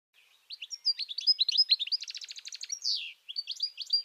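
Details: A European goldfinch sings a fast, tinkling jumble of high twittering notes with a quick buzzy trill in the middle and liquid chirps throughout, by the Tajo river at Aranjuez, Madrid, Spain.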